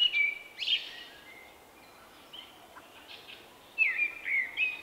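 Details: Male Common Blackbird with an unusual song, recorded in March 2024: a clear fluted whistled phrase ending in a thin squeaky flourish, a quiet gap with faint notes, then a second warbled phrase with twittery upslurs.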